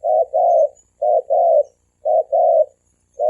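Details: Thổ kim coo of male and female spotted doves, used to call in wild doves: a steady pattern of a short note then a longer buzzy hoot, repeated about once a second.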